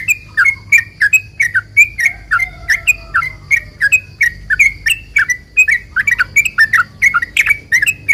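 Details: Sooty-headed bulbul song used to provoke other bulbuls to answer: a long, lively run of short chirpy whistled notes, rising and falling, repeated rapidly several times per second without pause.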